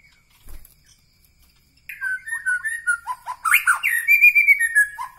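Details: White-rumped shama from Medan Bahorok in a full, loud outburst of song: varied rich phrases mixing clear whistles, buzzy rising notes and high chattering overtones, following a quiet start.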